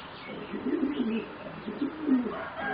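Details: Young zebra doves of a competition singing line, four birds around 3.5 to 4 months old, utter a short burst of low, rolling coo notes.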